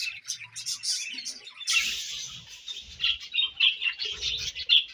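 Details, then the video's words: Budgies chirping while eating, a dense high warble with a loud raspy burst, then repeated bright chirps, and soft low knocks underneath. "𝑪𝒖𝒕𝒆 𝑩𝒖𝒅𝒈𝒊𝒆𝒔' 𝑪𝒉𝒊𝒓𝒑𝒊𝒏𝒈 𝑺𝒐𝒖𝒏𝒅𝒔 𝑾𝒉𝒊𝒍𝒆 𝑬𝒂𝒕𝒊𝒏𝒈"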